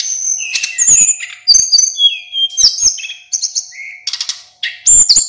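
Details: Full song of a local male Hill Blue Flycatcher, meant to train other songbirds: a stream of varied sweet whistles, some long and level, some slurred, punctuated by several hard clicking bursts.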